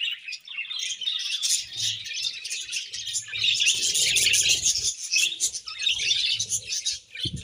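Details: Budgerigar colony chirping happily, a busy stream of fast, scratchy, high-pitched twitters and chirrups from many birds at once, with faint low bumps underneath.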